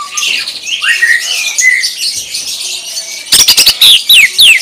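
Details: Greater green leafbird 'tembakan' style singing: wavering whistles and chatter, then a sudden loud run of sharp clicks and repeated steep falling whistles.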